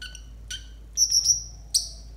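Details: Konin song used as a tutor recording for training young konin: a few high thin chirps, then a long bright whistled note near the top of the range and a final sharp whistle, over a faint low hum.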